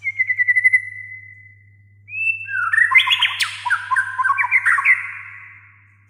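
White-rumped shama song: a run of rapid clear notes, a held whistle, then a rich tumbling phrase of varied fluty and scratchy notes. A steady low hum underneath.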